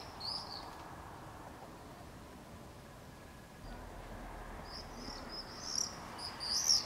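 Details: Common swifts screaming in a street in Beek Ubbergen, the Netherlands, on 22 July 2012, where two pairs nest on a house and join screaming parties; a brief shrill scream opens, then a cluster of high screams near the end over low background rumble.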